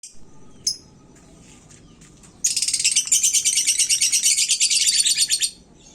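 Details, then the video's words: Caged lovebird, kept in the sun, delivering a fast, buzzy chattering trill high in pitch, with rapid repeated notes for about three seconds after a few scattered chirps. "Suara lakbet gantang panas, bikin burung lain emosi"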